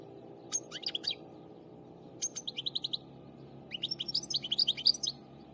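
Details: Finch singing in three quick bursts of high, rapid twittering notes, each run a second or so long with short pauses between, the last burst the longest and loudest, over a steady low hum.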